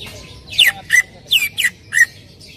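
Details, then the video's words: Greater green leafbird song to coax another leafbird into singing: five loud, emphatic notes sweeping sharply downward, spaced roughly every third to half second. "PANCINGAN CUCAK IJO AGAR BUNYI"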